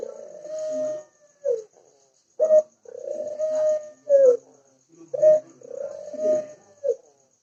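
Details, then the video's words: Ringneck dove giving its repeated coo: a short accented note, then a drawn-out level purring coo that ends in a brief falling note, three phrases close together. "Masteran Burung Puter ✪ Gacor ✪"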